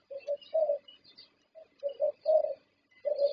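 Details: Thai contest-champion zebra dove giving short, broken coos, some paired and some single with gaps between them, plus faint high chirps from other birds.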